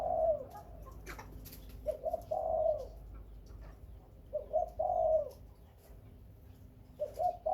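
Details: Spotted dove among Khmer and Malay breeding birds, repeating its coo phrase about every two and a half seconds: one or two short notes, then a longer, warm, falling coo, with soft knocks and clicks around.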